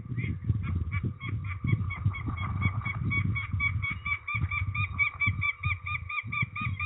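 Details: Peregrine falcon during ringing, Trzebież, Poland, 13 May 2019: coarse calls delivered in an accelerating series, becoming clear, evenly spaced notes toward the end, with low handling rumble underneath.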